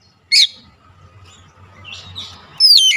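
An Oriental magpie-robin gives a sharp, high chirp, then after a pause a bright burst of clear whistled notes sweeping up and down, over a faint low hum.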